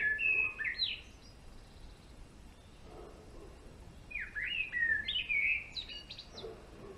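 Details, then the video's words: Two phrases from a male European greenfinch: sliding, whistled twitters open the recording, a pause follows, then a longer run of rapid chirping notes that swoop up and down. "Verdone maschio !!"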